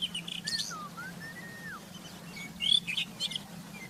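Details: Rufous-tailed scrub robin singing in the wild: a slow, sliding whistled phrase that dips and rises, framed by short high chirps and a sharp bright note near the end, over a steady low hum.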